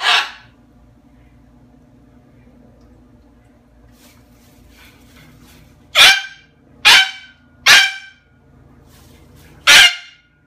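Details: Moluccan cockatoo showing off with raucous, harsh screeches: one at the start, then after a quiet pause four loud rasping blasts about a second apart, in a small indoor room.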